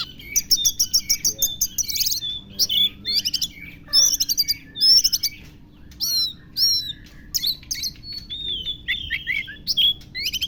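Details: Oriental magpie-robin with lovebird mimicry in its song, delivering fast bursts of harsh high chirps followed by varied whistles, slurred rising and falling notes, over a constant low electrical hum.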